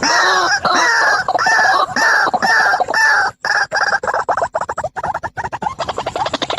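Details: White-breasted waterhen, male and female, calling: loud harsh croaking notes repeated about twice a second for three seconds, then breaking into faster, choppy stuttering notes with short gaps.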